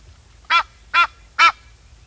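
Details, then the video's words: Three loud, harsh honks from an Egyptian goose, evenly spaced about half a second apart, each rasping and nasal. "Egyptian Goose Call | Egyptian Goose | Duck Quacking Sound Effects | Egyptian Geese Calling"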